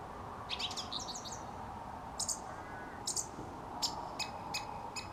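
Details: At dusk beside a studio, a song thrush sings a rapid burst of chips, then sharp high notes repeated several times at roughly half-second to one-second intervals, over a soft, steady hum.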